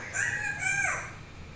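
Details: Captive talking grey parrot mimicking human speech indoors: a short, voice-like tonal utterance with smooth rising and falling pitch contours lasting about a second, with a faint background hum.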